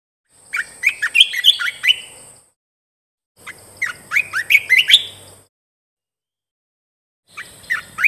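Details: Bulbul song used for training caged birds and as a decoy: two bursts of fluttering, rising whistled notes with bright upslurred phrases, separated by silence, with a steady high-pitched hiss underneath.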